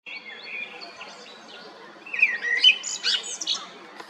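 A common blackbird sings mellow, fluty warbles that break into higher, squeaky twittering phrases over about four seconds. Faint background hiss.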